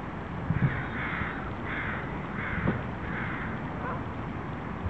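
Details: Canada geese feeding at lunchtime in Vanier Park, Vancouver, on November 23, 2012, giving a series of short nasal honks roughly twice a second over steady low rumbling background noise.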